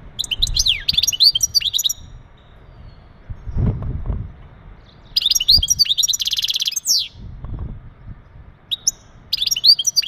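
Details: Mating calls of a male European goldfinch to ready a female for breeding: three bursts of rapid tinkling twitters and buzzy trills separated by quiet gaps of a few seconds, low rumbling background noise between phrases.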